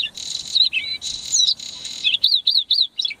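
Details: Bluethroat (Luscinia svecica) at Saladar de Los Canos in January 2010: harsh, scratchy bursts with high thin tones, then a quick series of clear, high, rising-and-falling whistled notes, four or five per second.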